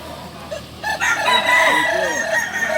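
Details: Kukuak Balenggek chicken, native singing chicken of Solok, bursts into a loud crow after a quieter start: a high, ringing, sustained note with several bending lower syllables underneath, lasting nearly two seconds.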